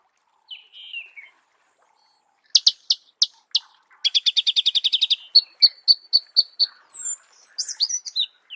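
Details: Marico sunbird in natural habitat: a thin falling slurred whistle, several separate sharp chips, a fast rattling trill, then spaced ringing notes and high squeaky twittering toward the end.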